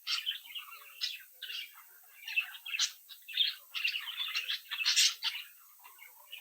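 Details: Captive budgerigar chicks in a home brood, playing and interacting; lively pulsing chatter of sharp chirps and warbled notes, loudest bursts near the end.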